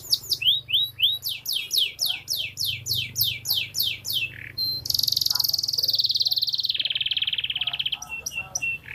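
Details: Song of a canary from Comal, Pemalang, Central Java: a fast series of repeated downward-sweeping whistles, then a harsh buzzy trill passing into a lower rolling tour and scattered high notes.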